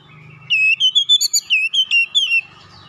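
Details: Oriental magpie-robin giving tight rolling basic song, a quick run of about ten clear, rising-and-falling whistled notes lasting two seconds, with a low hum before it starts.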